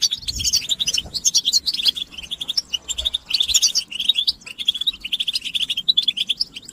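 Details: European goldfinch song of the batbata style, a rapid bright twitter of sharp chirps and short buzzy runs, delivered in lively phrases with small gaps and growing busier in the middle.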